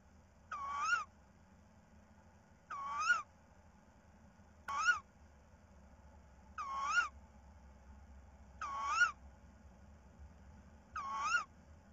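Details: A tawny owl gives six harsh, wavering calls that rise and dip, about every two seconds, over a low steady hum; evening of 10 March 2019 at 19:24, a mouse brought for V.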